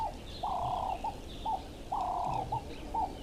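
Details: Ring-necked dove at an African waterhole on 26 September 2025, giving its mellow, hoarse three-part coo, a drawn-out middle note between short clipped ones, repeated about every one and a half seconds.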